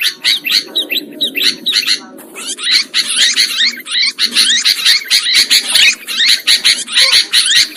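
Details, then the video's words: Sooty-headed bulbul calls played as a trapping lure: busy, overlapping chatter of many birds, with quick scratchy notes pulsing about twice a second over a soft low murmur. "Suara Pikat Burung Kutilang Ampuh"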